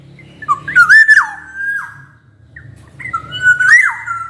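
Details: A black-naped oriole in full song, used to coax reluctant orioles into singing. It gives two loud, flute-like whistled phrases, each rising and then dropping sharply, separated by a brief pause. A faint low rumble sits in the background.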